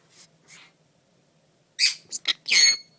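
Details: Green-cheeked conure, a pet indoors, speaking "Pikachu" as talking mimicry; two short faint squeaks open, then after a pause a loud burst of harsh, syllabled squawky speech near the end, with soft nasal breathing sounds.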